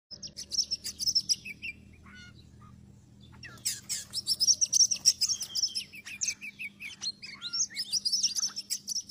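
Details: Oriental magpie-robin song used as a trapping lure: rich, varied phrases of sharp chirps and whistles, mostly high, in bursts with a short pause near the middle, over a steady low hum.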